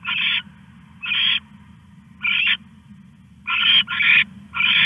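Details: Owl stashing a rat in the early hours of 21 August 2015: six harsh, breathy screeches, the last three coming in quick succession, each lasting under half a second, low electrical hum behind.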